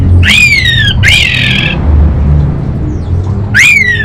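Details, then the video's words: Orange-headed thrush, a song-contest bird from Singaraja, North Bali, Indonesia, singing loudly: three rasping, richly harmonic notes, the first and last bending downward, the middle one buzzier and flatter, over a low background hum. "ANIS BATA Berkicau Gacor"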